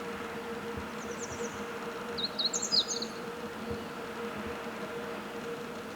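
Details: Meadow bunting, a somewhat distant, softer song phrase of high chirps and a quick slurred flourish, preceded by a few faint notes, over a steady low hum.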